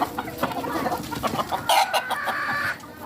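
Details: Farm rooster giving a short, bright crow that rises and holds for about a second, with busy hen clucking and scratchy background noise before it.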